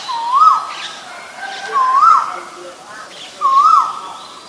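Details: Asian koel calling three times, about every 1.6 seconds: each call is a clear, mellow whistle that swoops upward in pitch, over quiet background hiss.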